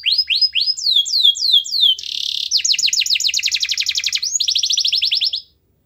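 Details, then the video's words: Loud canary song used to coax a quiet canary into singing: a run of rising whistled slurs, a brief harsh buzz, then fast rolling trills of repeated notes ending abruptly in silence. "Suara Kenari Gacor Yang Malas Bunyi Awas Kaget Ikut Bunyi || Pancingan Kenari Agar Bunyi"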